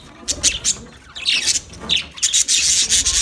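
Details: Budgerigar colony giving raspy, scratchy chatter mixed with thin high chirps, the sound growing denser and louder in the second half.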